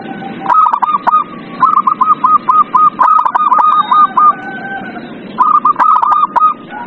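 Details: Zebra dove song played to prompt a quiet dove to sing: rapid runs of short cooing notes near one pitch, in three bursts, over a steady background hiss with faint lower coos.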